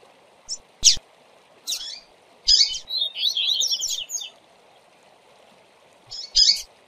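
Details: Double-collared seedeater tutor song used to train birds: scattered sharp high chips, then a run of buzzy, warbling high notes, ending with a bright chip, over a steady low hum.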